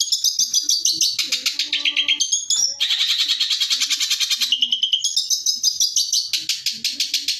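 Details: Long-tailed shrike singing in a training recording for other birds: fast, dense, scratchy trills switching between phrases every second or so, with harsh buzzes and sharp high notes, faint low knocks in the background.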